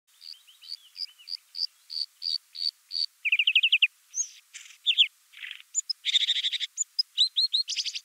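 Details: Bluethroat song: rows of short high notes, then a fast buzzy rattle near the middle, followed by a varied medley of chirps, sharp notes and a dense burst of noisy phrases.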